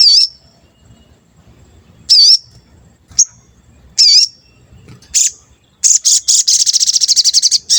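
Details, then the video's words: Lure song of a sooty-headed bulbul (sogon), played to stir untrained birds into singing and for trapping wild birds: several sharp, high, wavering whistled notes spaced about a second apart, ending in a fast, dense, buzzy high trill. "Pancingan Sogon Agar Bunyi dan Emosi, Sogon Bahan Auto Nyaut"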